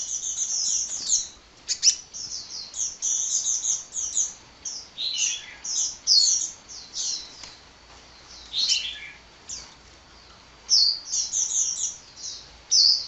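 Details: Extended nonstop hummingbird song: long runs of high, piercing twitters and rapid chirps, some notes dropping in pitch. Scattered faint clicks and a few short pauses break the flow of chatter.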